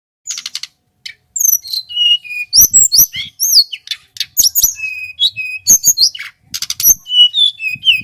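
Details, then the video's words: Male local hill blue flycatcher from Merapi, singing vigorously in long, varied phrases used as a master and lure; sharp high trills and clicks, then clear whistled notes sliding downward, with short bursts of rapid chattering. "Suara burung TLEDEKAN GUNUNG lokal GACOR"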